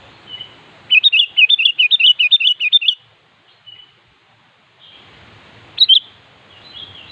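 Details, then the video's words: Kutilang, the sooty-headed bulbul, in energetic gacor song meant to call up a rival, giving a fast chattering run of bubbly notes for about two seconds, then a pause and a short sharp phrase. "Suara Burung Kutilang Gacor Siap memanggil Lawan"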